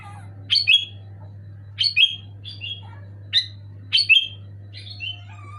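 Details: Loud, clear Sooty-headed bulbul song of brief liquid whistled phrases, some single, some doubled, spaced irregularly roughly a second apart, with a constant low electrical hum beneath.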